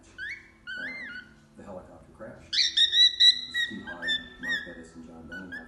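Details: A young cockatiel in its first days of whistling tries the tunes "If You're Happy and You Know It" and "Opa Opa", blending them imperfectly: clear, bright, rising and sliding notes in short uneven phrases, with soft murmurs between.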